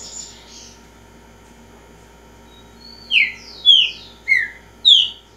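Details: Green-winged saltator, a repeating singer, after a quiet start gives four loud descending whistled notes spaced about half a second apart.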